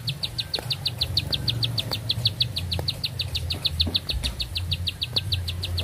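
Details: Continuous song of a bar-winged prinia, shrill short notes fired in a fast regular chain, roughly three per second, unbroken throughout, while a deep hum runs underneath.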